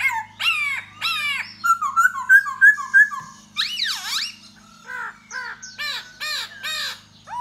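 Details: Laughingthrush in courtship song and dance to lure a female: rising harsh notes, a row of short clear whistles, a loud swooping buzzy phrase, then scattered chattering notes, over a steady electrical hum.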